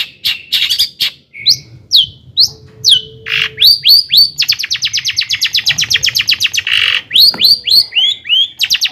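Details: Loud long-tailed shrike song meant to stir rival shrikes. Harsh buzzy notes and down-slurred chips lead into a long, even run of fast repeated squeaky notes, about four a second, ending in more slurred chips.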